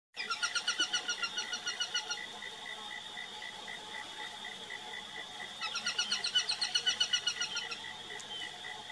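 A Peregrine falcon gives two bursts of harsh, grating notes repeated rapidly, about six per second, over a steady high hum.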